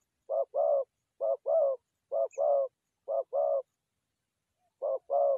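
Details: Forest doves, recorded for trapping: five pairs of low hollow coos, a short note followed by a longer one, each pair about a second apart, against a quiet background.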